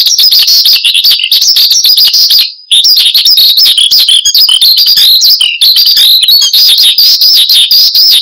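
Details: Persistently singing branjangan (Horsfield's bush lark) kept as a cage bird, song meant to lure and tutor other birds; fast, high, chattering phrases of chirps and whistles, briefly broken by a short cut near the middle.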